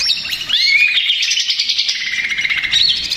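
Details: Agitated greater green leafbird lure song. A rising whistled slur leads into a rapid, scratchy, chattering stream of high notes with mimicked-sounding twitters, continuous and energetic.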